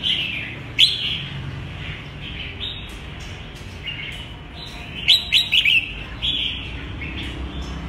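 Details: Red-whiskered bulbul kept as a cage bird singing bright, chirpy phrases of quick rising and falling notes in short bursts, with pauses between, over steady background hiss.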